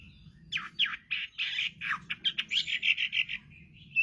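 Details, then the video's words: Chinese hwamei in full song: a rapid, loud run of varied whistled and slurred notes, some swooping downward, then a fast series of repeated clipped phrases, ending with a brief high note; faint low background hum throughout. "Kicauan Burung Hwamei//Wambi Gacor"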